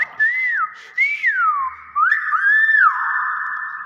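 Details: A common hill myna (Gracula religiosa) gives four loud, pure whistles in four seconds, each swelling up then sliding down in pitch, the last held long and steady.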